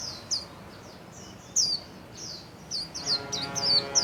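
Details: White-eye from a songbird hobby keeper, wings spread, giving 'líu' song: separate high sweeping chirps spaced irregularly, growing busier near the end, over gentle background music.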